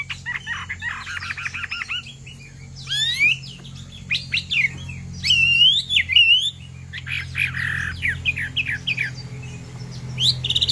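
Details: Chinese hwamei song, a female stirring a male to sing: rich whistled phrases, rapid trills and sweeping slurred notes in bursts, a steady low hum underneath.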